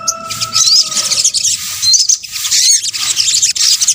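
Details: Sunbird, known in Indonesia as sogok ontong, in a lure recording: rapid high chittering with short looping whistled notes, over a steady low tone in the first half.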